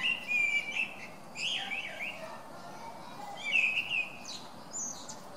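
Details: Blackbird singing on December 17, varying every phrase: rich whistled warbles at mid pitch, each followed by higher squeaky twitters, three phrases separated by short pauses, against a quiet steady background hiss.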